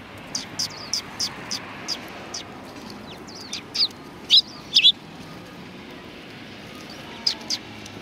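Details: Sparrows at a Tenmangu shrine giving short, high chirps, scattered at first and then in two loud clustered bursts near the middle, with a few more at the end; a steady low background hum underneath.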